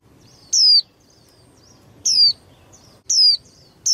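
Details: White-eye, a young female used to spur males to sing harder in singing contests: sharp, very high descending notes, each under half a second, repeated roughly every one and a half seconds over a quiet low rumble.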